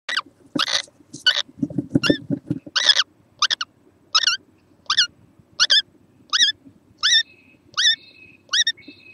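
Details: Young kookaburra, recorded 6 November 2014, giving short squeaky notes with a bent, rising shape, repeated about one to two times a second. The later notes carry a faint double tone, and low rumbling sounds appear early on.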